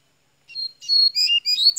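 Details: High sustained whistled notes and quick trills from a Minas Gerais double-collared seedeater opening its song, rising in loudness after a brief silence.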